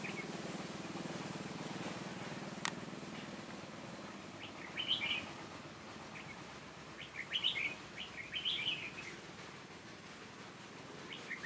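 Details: Red-whiskered bulbul from Hòa Bình, a decoy bird in a trap singing to lure wild birds, 18 November 2017. Short warbled, whistled phrases come in bursts in the second half, over a low rumbling background hum.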